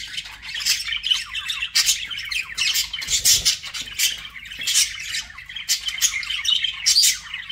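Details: Pet budgerigars chirping and chattering, likely several birds in an aviary setting; dense, scratchy, high-pitched warbles and squawky bursts overlapping continuously, with sharper shrill peaks around three seconds and near the end.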